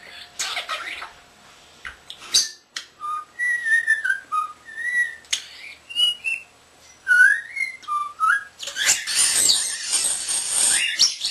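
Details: Pet common starling, a male under a year old, known to whistle the tune "Hi Ho, Hi Ho, It's Off To Work We Go": a run of clear melodic whistled notes, rising and falling, between harsh chatter and a closing rush of noisy rasping.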